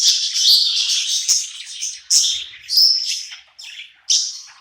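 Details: A budgerigar, happy in its new home at night, pours out dense high chattering warbles, then breaks into separate loud chirpy bursts about every second.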